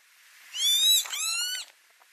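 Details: A northern lapwing calling at tulip fields in Noordwijkerhout, Netherlands, in May 2018 gives one wheezy, nasal two-part 'pee-wit' call lasting about a second, high-pitched and slurred, against a quiet background hiss.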